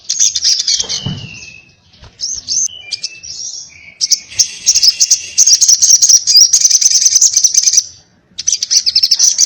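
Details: Sogon, or little spiderhunter, in 'ngobra' fighting-style calling: a burst of chatter with a falling whistle, scattered short phrases, then a sustained, very rapid shrill chatter, a pause and a final burst.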